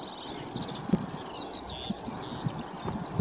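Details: Grasshopper warbler at Bowesfield Marsh, 19 June 2017, reeling without pause through an hour; a Nikon P900 captures an unbroken, very high, rapid ticking trill held at a constant pitch over soft background rumble.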